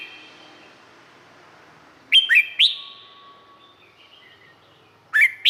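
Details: Thai Red-whiskered bulbul singing, recorded for playback to stir up other bulbuls: one phrase of three clear upslurred whistles around the middle, then a single note of a new phrase near the end, with a faint low steady tone between.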